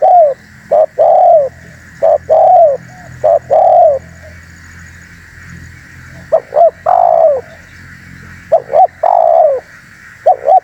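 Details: Lure sound of a vigorously calling spotted dove: rapid run of short coos and long falling coos in quick succession, a brief lull, then more doubled coos and drawn-out coos, with constant background hiss.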